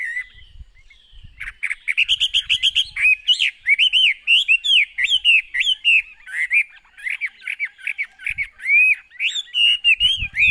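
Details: Long, energetic song from a caged Chinese hwamei: rapid repeated chattering notes build into loud, rolling whistled phrases, with occasional low thumps of movement.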